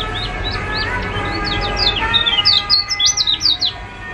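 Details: Lively yellow white-eye (kecial kuning) song from Lombok, Indonesia, meant to coax quiet birds into singing: a rapid run of high, sharp, slurred chirps that grows louder and quicker toward the end, over a faint steady hum.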